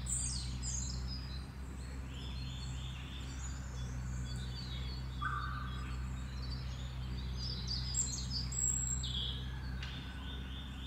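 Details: Hawfinch (Coccothraustes coccothraustes) giving short, sharp, high ticking calls at irregular intervals over a steady low rumble of traffic, recorded in Helmond on 1 March 2012.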